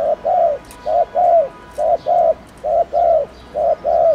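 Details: Fast 'gù'-style cooing of a spotted dove, used to prompt other doves to start cooing: soft hollow notes in close pairs, the second slightly longer and falling, repeated four times in steady rhythm.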